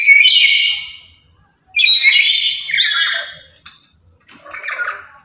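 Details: Loud, talkative lory kept as a very active caged bird used as a lure and tutor for other lories: harsh, broadband squawks in three bursts, the middle one longest, with short silent gaps between.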